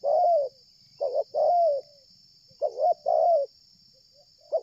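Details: Persistent cooing of a spotted dove coming in from afar while being lured: a long coo, then two phrases of a short stuttered double note and a sustained coo, and the start of the next.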